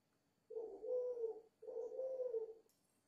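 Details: A five-month-old dove coos vigorously, giving two long, low, throaty coos back to back, slightly wavering in tone, followed by a faint high rustle at the end.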